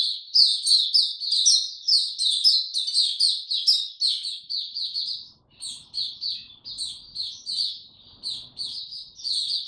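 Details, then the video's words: White-eye singing in warm, very humid weather, recorded 26 March 2022: a rapid, high, twittering warble of sweet chirped notes, running almost unbroken, with a brief pause mid-way and a faint low rumble behind. "Mata Puteh Hercules buka sing"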